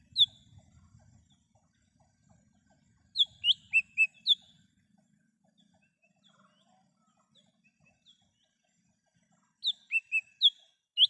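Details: In the wild, a lesser green leafbird sings, a recording meant for luring: rapid clusters of five clean whistled notes, about six seconds apart, with low rumbling noise at the start.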